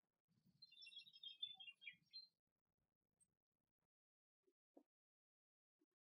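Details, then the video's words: A common chaffinch (Fringilla coelebs) singing in Greek nature gives one bright, two-second song phrase, a falling rattle of notes ending in a quick flourish, followed by a few faint knocks. "Σπίνος Κελάηδημα Κρυστάλλινο - Common chaffinch best song"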